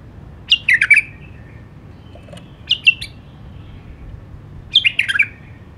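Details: White-eared bulbul song in three short bursts: chattering, cascading notes falling in pitch, with a briefer two-note phrase in the middle, pauses of about two seconds between them.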